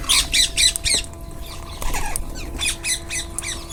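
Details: Rose-ringed parakeets in a group while eating: loud, harsh squawks repeated about four times a second in quick bursts, a short pause, then another run of squawks, with a steady low hum behind.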